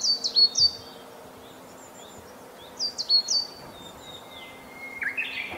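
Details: A Coal Tit in the summer-bird season in inland northern Harima, Hyogo, Japan, gives thin, very high, quick repeated note-pairs in two short bursts, a song that varies its pattern, over a low steady hum; another bird's slurred whistle follows.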